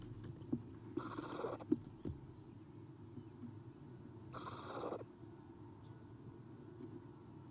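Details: Three Eastern screech owl owlets in a camera-monitored nest box, morning of 30 April 2016; two noisy, rasping hiss bursts roughly three seconds apart over a steady low hum, plus a few small taps.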